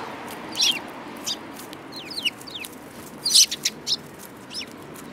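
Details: Sparrows, described as spirited, chirp in short sharp notes with thin descending chips, a loud cluster near the middle, over soft steady hiss.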